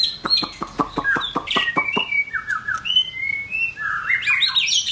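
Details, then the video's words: White-rumped shama in form building, opening with a quick series of dry clicking ticks, then smooth mid-pitched whistled slurs and a rising cluster of bright, rapid notes at the end. "White Rumped shama- form building"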